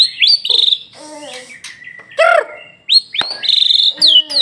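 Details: White-rumped shama singing bright, high, upslurred whistles mixed with lower rich notes and a sharp click, delivered in quick, varied bursts.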